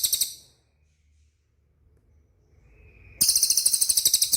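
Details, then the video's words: Cililin training track for caged birds: a short shrill trill, a pause with a faint thin whistle, then a second high, rapid pulsed trill over a second long. "SUARA CILILIN DIJAMIN CEPAT RESPON"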